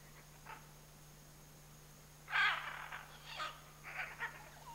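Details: Scarlet macaw pair in the Chiquibul area: one faint short note early, then a loud harsh raspy squawk followed by several rougher, shorter grating calls, against a steady low hum.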